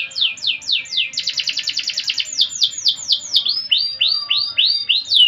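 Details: Canary in full gacor song, 'cengkok mewah' style: rapid series of downslurred chirps running into a dense fast roll, then slower sweeping whistled notes.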